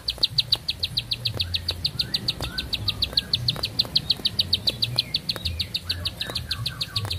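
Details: Bar-winged prinia in a long, breathless song of steady high ticking notes, repeated quickly and evenly for the whole stretch. A low rumbling hum and scattered faint chirps sit underneath.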